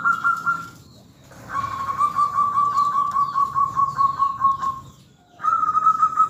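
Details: Local zebra dove used as a lure recording to set other birds calling: a faint, steady run of rapid, evenly spaced cooing notes at one pitch, with lighter whistled phrases before and after and soft background noise.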